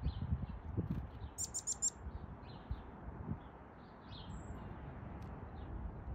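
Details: Black-capped Chickadee at a backyard bird feeder in NW Calgary, Alberta, at 9:54 am on 4 April 2022, giving a quick run of four high, thin chipping notes, with faint softer calls over a steady low rumble of wind.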